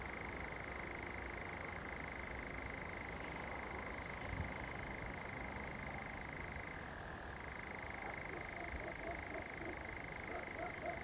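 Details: Common nightjar heard at night in a pine stand near Zamudio, Txorierri, Bizkaia, July 2020, delivering a sustained reeling churr with two brief downward pitch shifts, accompanied by a continuous high-pitched background whine.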